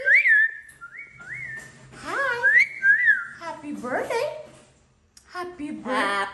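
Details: Pet Amazon parrot, said to be crying because it is not taken outside, whistling clear rising and falling notes about once a second, then harsh speech-like chatter; a person talks nearby indoors.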